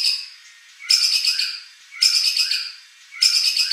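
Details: Competition white-rumped shama material meant to trigger a rival's reply: three harsh, high rasping bursts roughly one second apart, each starting abruptly and fading, with a faint steady high tone beneath.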